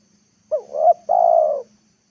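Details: Spotted dove used as a decoy, calling in the afternoon to lure wild birds down to the ground: one phrase of two short rising-falling hoots, then a long, steady, mellow coo sliding slightly lower. The background is quiet.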